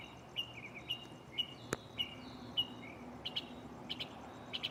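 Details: Mockingbird singing at night from a nearby tree: spaced, slurred whistled notes, then a few higher sharp chips, with one sharp click partway through and a faint low hum behind.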